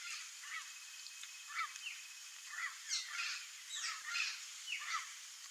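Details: Wild turquoise-fronted amazons in natural habitat in Brazil give harsh, squawky notes, rising and falling, in uneven bursts about every second, some overlapping as from several birds, over a steady high hiss.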